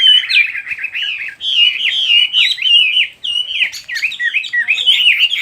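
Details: A songbird delivers a continuous, lively warble of rapid whistled slurs and twittering notes, rising and falling in quick succession with only brief pauses, in a quiet setting.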